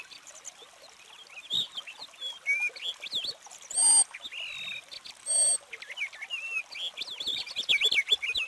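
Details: Purple finch warbling softly in bursts of looping whistled notes, broken twice by short loud rushing noises, then building into a livelier run of warbles at the end.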